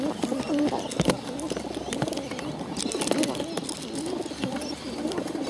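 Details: Low, quavering calls from hungry hand-reared pigeons fed by bottle, mixed with busy clicking and snapping and some quiet human speech.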